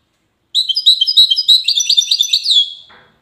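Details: European goldfinch in Safi, Morocco, singing a quick, continuous twitter of high tinkling and buzzy notes for about two seconds, followed by a faint knock.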